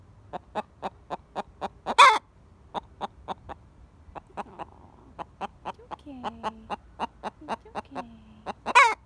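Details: Buff Orpington pet hen refusing to settle after a threat was chased off: evenly spaced staccato clucks, about three per second, broken by a harsh squawk near the start and another at the end, with a woman's calming words briefly heard.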